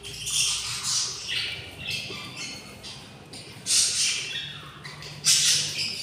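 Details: Budgerigar nestlings, a brood of six hatched from six eggs, very hungry at day 20: loud harsh rasping squawks in separate bursts about a second apart, with two strong blasts near the end.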